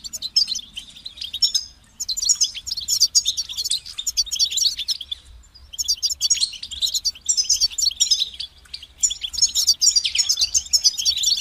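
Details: European goldfinch song: fast, twittering high-pitched phrases with buzzy and tinkling notes, delivered in bursts of about two seconds separated by short pauses, with low background hum throughout.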